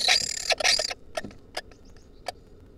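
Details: A wild lesser kestrel pair courting inside their nest box gives harsh, rasping chatter in two quick bursts, then a few short scattered chips over a faint background hiss.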